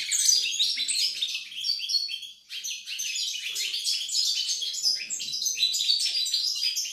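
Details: Goldfinch, 28 November 2020, singing a lively, high-pitched jumble of tinkling chirps and rapid trills, with a brief pause near the middle before the twittering resumes strongly.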